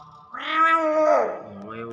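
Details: Nias hill myna (Gracula robusta) speech mimicry: a single drawn-out, voice-like syllable, rich and nasal, rising then falling like a human word, then a low murmur; the bird says phrases like "good morning", "Pak" and "Assalamualaikum".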